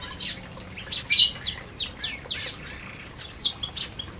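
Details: Canaries eating in an aviary give rapid high downslurred chirps and twitters in uneven bursts.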